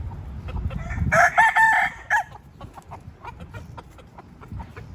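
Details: Free-range pet rooster crowing once, a loud harmonic call of several segments lasting about a second, with soft clucks, rustling and scattered clicks around it.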